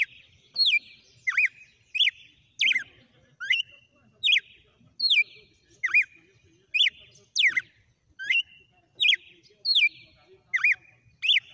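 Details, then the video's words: Wild red-cowled cardinal singing a sequence of whip-like song phrases called açoites: sharp, high whistled notes sweeping down then up, repeated about every eight-tenths of a second in a steady, ringing series over quiet background. "O CANTO SELVAGEM DO GALO DE CAMPINA - SEQUÊNCIA DE AÇOITES"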